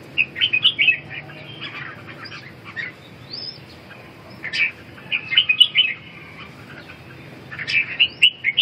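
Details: Red-whiskered bulbul singing short warbled, whistled phrases in three bursts, the first around the start, another near the middle, the last at the end, separated by quieter pauses with a faint background hiss.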